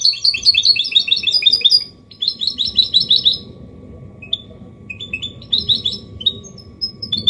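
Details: Caged goldfinch hybrid delivering a clean Malaga copy song meant for training young birds and stimulating males; fast twittering trills, a pause, then scattered single chirps and short bursts.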